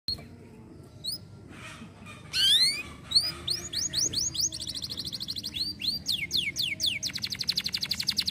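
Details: Canary singing, played to encourage other canaries to sing: varied high chirps and sweeping whistles build into fast rattling trills and rapid repeated downward-sweeping notes, starting sparse and growing denser and louder.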